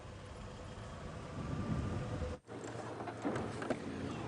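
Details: Steady low rumble of a vehicle engine with a brief cut-out midway; no animal voice is heard.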